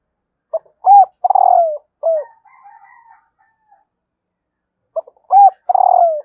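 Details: Spotted dove hen cooing to excite males: a phrase of a short note, a rounded coo, a drawn-out buzzy falling coo and a final soft coo, a faint murmur, then the phrase starting again after a long pause.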